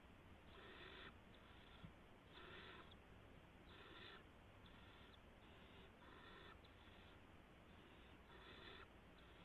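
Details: Barn owl owlets in a nest at night, March 16, 2016, while an adult brings in a gopher. About ten rasping hiss bursts, each roughly half a second, come in an uneven series over constant background hum.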